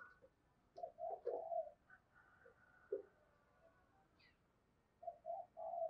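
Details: Morning lure cooing of a spotted dove meant to attract wild birds: a soft cooing phrase near the start, a thin distant whistle, then a final run of mellow coos, with background hiss throughout.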